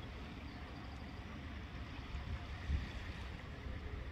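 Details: Low, steady rumble like wind or running water, with a soft thump near the middle and no clear calls.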